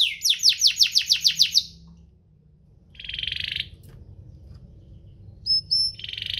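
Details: Domestic canary singing to stir other canaries to sing: eight quick descending whistled sweeps, a pause, a short buzzy trill, then a few clear high whistles and another burst of trill.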